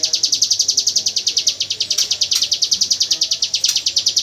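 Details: Rapid, gun-like rattle of a hill prinia in its 'AK47 gunfire' song, used to tutor white-rumped shamas; high, hard notes pour out continuously, with a few sharp clicks in the background.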